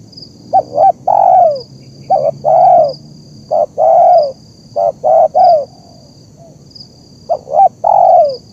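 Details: Zebra dove calling repeatedly, a recording for training and luring wild birds: six phrases of two or three quick popping notes followed by a longer falling coo, repeated roughly every one to one and a half seconds.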